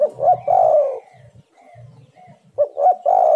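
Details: Spotted dove giving its call as bait for wild birds: a low coo phrase of clipped notes and a long held tone, repeated after about two seconds, with soft low rumbles in the gap.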